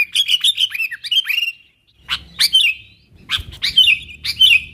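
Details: Sooty-headed bulbul calling out to wild companions to attract them; a quick run of downslurred chirps, a pause, then separate bright notes each ending in a short bubbly warble.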